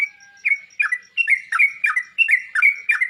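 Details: Sooty-headed bulbul song for making birds respond and fluff out: after a level opening whistle, lively falling-then-steady notes repeat about every third of a second.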